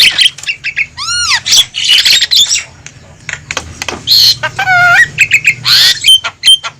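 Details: Javan myna calling noisily as a trapping lure for wild mynas: harsh chattering squawks mixed with arched whistled notes, including a descending stacked whistle and a bent whistle mid-sequence.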